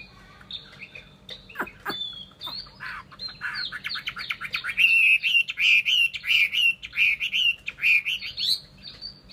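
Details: Chinese hwamei in full song: a few sharp downward-slurred notes, then loud, rich, rapidly repeated whistled phrases building into a fast rolling series of bright notes.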